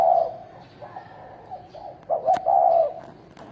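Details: Wild field spotted dove in a fight, trailing coo notes, then a sharp click and a strong hoarse two-part coo near the end.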